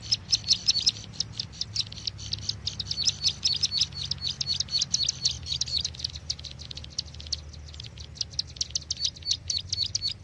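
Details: Bar-winged prinia call played as a trapping lure: loud opening chips, then a continuing irregular stream of high sharp notes over a low hum.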